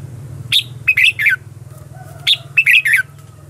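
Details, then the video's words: Red-whiskered bulbul lure song for luring wild birds: two quick phrases of sharp rising-falling chirps, each of three or four notes, over a steady low hum. "Cách luyện chào mào mồi - Gọi Bổi Ché Chéc Căng Đét"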